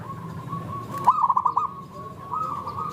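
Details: Zebra dove lure song to set other doves singing: a single quick run of six or seven beaded coos, with soft drawn-out cooing from further doves before and after.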